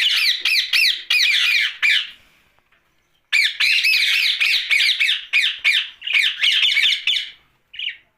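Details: Ringneck parakeet kept as a pet, talking at night: repeated harsh, raspy syllables in quick runs, a three-beat opening, a pause of a second, then a long chattering stream of clipped squawky phrases and a final short note.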